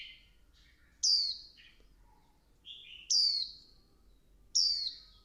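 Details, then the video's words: Líu căng lửa song of a female Swinhoe's white-eye stimulating the male: three loud falling whistles, each preceded by softer lower chirps, with faint background hiss. "Tiếng chim vành khuyên mái kích trống líu căng lửa"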